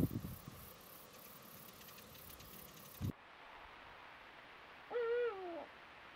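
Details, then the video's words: A perched Eurasian eagle-owl hoots: one low, hollow hoot lasting under a second, dipping slightly at the end, after a few seconds of muffled background rumble. "BÚHO REAL: en posadero y ululando"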